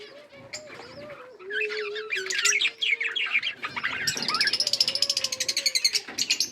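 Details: Australian parrots: warbling, wavering chirps and chatter, then a fast series of short, evenly spaced buzzy notes, with a faint low hum throughout.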